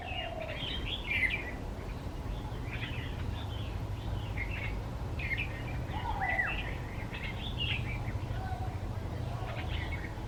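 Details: Red-vented bulbul singing from a bed of wildflowers on a birding trip: bursts of bright, chirpy, bubbly phrases every second or so, with a few lower whistled notes, over steady low rumbling background noise.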